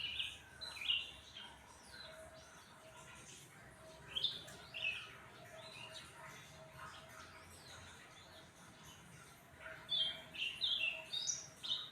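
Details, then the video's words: Cucak ranting, fed crickets and sunbathed, sings loud bursts of high chirps and whistles at the start and end, with quieter twitters between. "Burung cucak ranting jadi gacor habis dikasih jangkrik + jemur"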